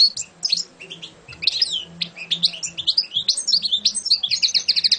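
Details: European goldfinch, a champion bird, delivering continuous rapid twittering song: liquid, slurred notes mixed with buzzy trills, ending in a quick series of repeated ringing notes; faint low hum behind.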